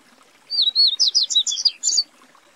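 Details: Yellow-bellied seedeater (papa-capim, Sporophila nigricollis) from Brazil singing a quick run of high, slurred whistled notes and short twittering phrases, lasting about one and a half seconds, over a quiet background.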